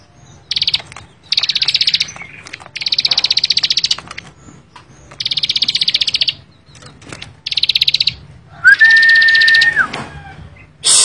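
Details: Bar-winged prinia giving repeated bursts of rapid, high, rattling chips in the 'bren' style, separated by short pauses. A clear, flat, sustained whistle sounds once near the end.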